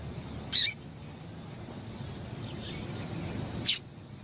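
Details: Female double-collared seedeater call meant to stir up a male so he keeps singing: two short, piercing high chips about three seconds apart, a faint softer note between them, and low background hum.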